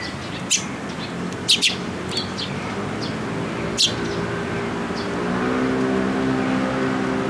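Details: Young Eurasian tree sparrows, recently fledged, coming to a post at a Tenmangu shrine on 28 May 2022 to be fed; a few sharp high chirps, some doubled, over steady traffic rumble.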